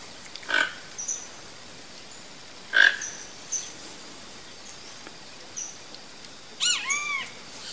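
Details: Toco toucan (Ramphastos toco), free in the wild in Brazil, gives two harsh, rasping croaks about two seconds apart, with faint high chirps from other birds and a brief ringing call near the end.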